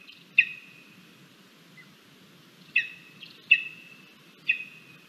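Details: Lesser spotted eagle chick at its nest during breakfast, 17 August 2022, filmed by a live camera: a few sharp whistled notes, each trailing into a sustained tone, separated by gaps of quiet background hiss.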